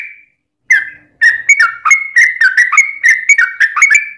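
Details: Trucukan song used as a lure to make other birds sing: a short opening note, a pause, then a fast, continuous stream of warbled, bubbling whistles.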